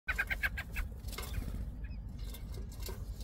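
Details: American robin at its nest during nesting season, feeding newborn nestlings: a quick burst of about six high, squeaky notes in under a second, then scattered faint chirps and rustling over a steady low rumble.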